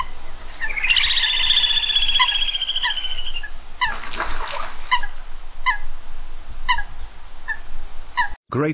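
Eurasian Coot gives a drawn-out nasal call, then a run of sharp, clipped high notes repeated about twice a second over a low background rumble.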